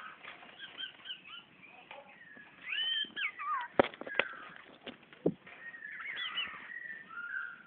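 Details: Magpie-robin in Brunei, 2013, singing at its own reflection in a mirror: short whistled, slurred phrases rising and falling, separated by sharp clicks and knocks, with a soft background hiss.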